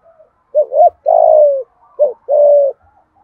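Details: Decoy spotted dove gù-calling to provoke wild doves: two close phrases, each a short wavering hooked note followed by a long, hoarse, gently falling coo, with faint low taps in the background.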